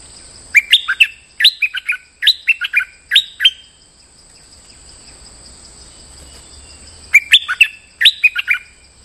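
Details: Moulting bulbul singing lure song: bright four-note whistled phrases repeated about once a second, a pause of several seconds, then two more phrases; a constant faint high-pitched hum underneath.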